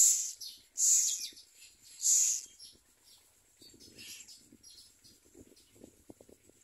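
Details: At a nest where common mynas bring crickets to their young, three loud rasping hiss-like bursts come close together, then fainter raspy notes follow over light tapping and rustling sounds.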